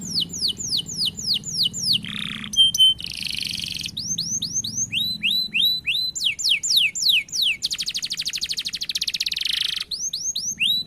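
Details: Canary singing energetically in the long-roll style, a clear, varied song: rapid falling whistled notes, buzzy rattling trills, a short piercing tone, and a long fast roll near the end, then more descending sweeps.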